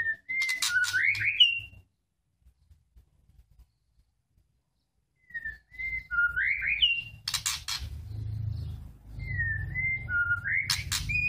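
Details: Young white-rumped shamas still in immature plumage, being paired for mating. Three bursts of slurred, rising whistles repeat a few seconds apart, each followed by sharp broadband rasping notes, with a low rumble behind.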